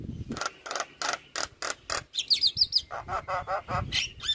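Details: Javan myna singing, played daily as a tutor for other birds: harsh rasping notes repeated about four times a second, broken by a brief run of high, thin, squeaky whistles, then more grating chatter.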